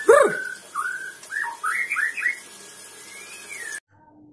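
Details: Sabang white-rumped shama, a caged bird, opens with a strong swooping note, then gives a string of clear whistled slurs, some rising and some falling, and a long thin rising whistle before it breaks off abruptly.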